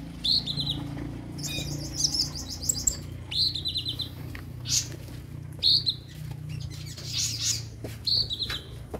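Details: Kolibri ninja sunbird kept in a cage, a recording meant to coax newly bought birds into singing: high thin buzzy trills alternating with sharp chirps in short bursts, over a low steady hum and occasional clicks.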